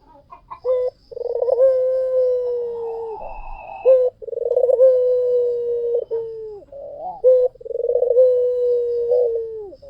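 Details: White dove singing vigorously, used as a lure to stimulate other doves: long, low, steady coos held for about two seconds each, each opening with a short stuttered burst, repeated several times with brief gaps.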